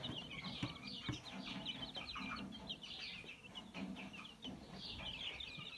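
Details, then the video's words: Mixed-breed domestic chicks on 22 January 2022, hiding together while a rooster stands in front: dense, rapid high peeping notes from several chicks run on without pause over soft low rustling. "Mixed breed chicks. Chip chip they sing."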